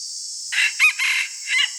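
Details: Morning crowing from a red junglefowl decoy cock: a grainy onset, a bright emphatic note, a long rasping stretch and a short last syllable, set against an unbroken shrill insect chorus.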